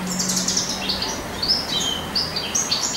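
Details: Springtime song of a male European goldfinch in courting mood: liquid, high, fast chirps and short slurred whistles strung together in a lively twittering flow, a low tone humming briefly at the start.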